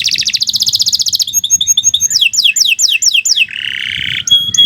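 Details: Canary singing in the long, continuous gacor style: a fast buzzy trill, then rapid repeated downslurred whistles, ending in a low rattling trill and clear high notes.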